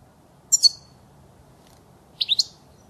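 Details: European goldfinch, recorded as a clean model for training fledglings to sing: two short clusters of sharp high tinkling notes, the second a rising triple twitter, over a quiet background.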